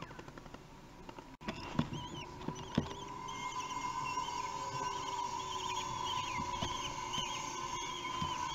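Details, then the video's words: Common kestrel chicks, three weeks old, fed at the nest in Théding, France, on 8 June 2021, give thin, wavering, high-pitched begging whines in scattered bursts over a steady background hum, with a few clicks and knocks. "Repas, les fauconneaux ont 3 semaines"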